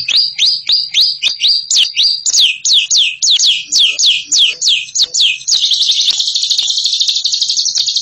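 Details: Bird known for ngekek calling: a quick series of sharp, downward-slurred shrill notes, several per second, building into a continuous fast rattling trill after five seconds.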